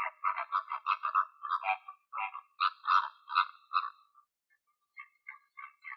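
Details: Morning flamingos feeding in Greek wetland nature, recorded on site: a rapid chattering run of short nasal honks, about four per second, then louder spaced honks, a pause, and softer quick notes.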